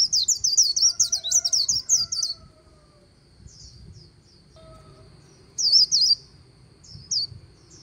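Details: White-eye singing líu near the Kỳ Cùng River. A two-second flurry of rapid high chirps gives way to near-silence, then a brief loud burst of twitters and one last chirp, with softer lower whistles in between.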